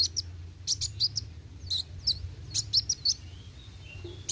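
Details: Energetic sunbird song made of thin, sharp high chips and short slurred notes, given in loose groups with uneven gaps; low steady hum underneath.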